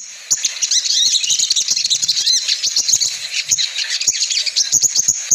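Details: Luring call of a female crimson sunbird, used to draw males down: unbroken, busy high-pitched twittering with sharp chirps scattered throughout, sustained from start to finish.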